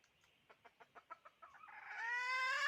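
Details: Chicken: a run of about eight short, soft, evenly spaced clucks, then a loud, drawn-out harmonic crow that swells and holds steady to the end.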